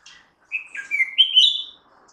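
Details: Red-whiskered bulbul call or song, a bird of hill forests and urban landscapes: one bright, lilting phrase of slurred whistles stepping upward into a quick warble, lasting just over a second, otherwise quiet.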